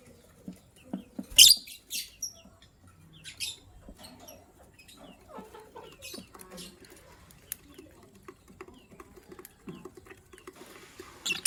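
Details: Morning chirping from lovebirds, among them a gray bird described as ready to lay eggs. One sharp, loud screechy chirp comes early, then scattered short shrill notes and clicks follow, with a harsh burst at the very end.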